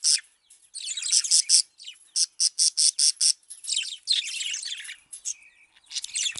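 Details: A male budgerigar, described as angry and singing, chatters in a rapid, scratchy warble broken by bursts of harsh, buzzy squawks, all high-pitched and busy.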